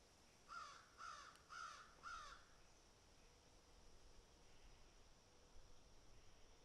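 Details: Crows picking at and eating food; one gives four harsh, nasal caws in quick succession, about half a second apart, then falls silent over a low background hiss.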